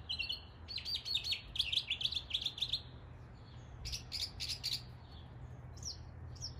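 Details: Imitating neighborhood birds in East Tennessee, a northern mockingbird delivers a rapid run of buzzy repeated chirps, then a second shorter burst after a pause, followed by a couple of thin rising notes.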